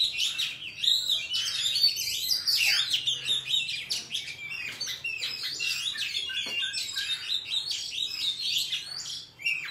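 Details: Oriental magpie-robin singing in wild forest style, used as a training file for young birds: a long, rich run of varied whistles, chirps and trills, almost unbroken, with a faint low hum underneath.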